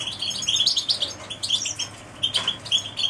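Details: Canary song: bright high twittering phrases of quick chirps and short trills, rising and falling, with a brief break near the middle before the chirping resumes.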